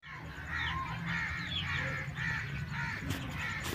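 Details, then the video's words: Broody hen calling: a series of harsh, nasal, drawn-out croaking notes repeated about every half second, over a steady low background hum, with a couple of brief clicks near the end. "Broody Hen | Kuruk Murghi"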